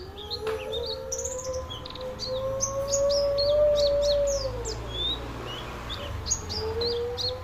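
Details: Oriental white-eye singing a rapid run of high, thin chirps and short downslurred notes, about three per second and loosely spaced, over a steady droning tone that rises then fades, with low background rumble.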